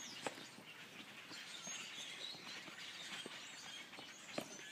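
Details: A tree full of grackles gives overlapping squeaky, creaking calls and sharp clicks, like rusty door hinges, over a steady hiss of background noise.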